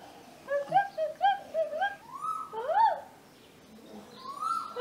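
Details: Male Asian koel at a home garden in Hassan, India, during the breeding season, giving rising, hollow 'ko-el' notes that swoop upward in pitch, answering a woman's voiced imitations of the call.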